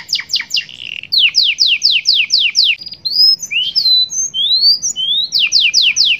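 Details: Domestic canary in 'cengkok super mewah' song with 'glatik batu' fill-ins: quick falling whistled sweeps, a series of high rising slurred whistles, then a fresh run of descending notes.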